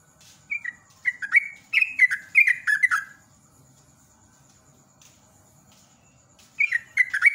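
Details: Sooty-headed bulbul, singing in the rapid ropel style used as a lure; two bursts of bubbly, downslurred liquid notes in quick succession, separated by a silent gap of about three seconds, with a faint steady high hiss throughout.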